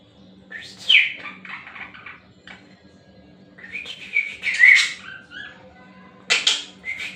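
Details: A pet budgerigar, one of several kept at home, chatters in quick, warbling bursts of scratchy, high syllables, mimicking speech as it talks with its owner.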